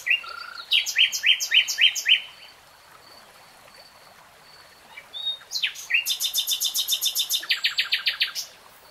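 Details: Common nightingale song in two phrases: a string of downslurred chirps, a pause, then a long rapid rattle of hard clicking notes ending in a faster trill.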